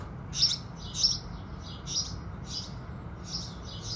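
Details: House sparrows singing with the rising sun in the morning: short bright chirps repeated roughly every half second, some louder and nearer, over a steady low rumbling background hiss.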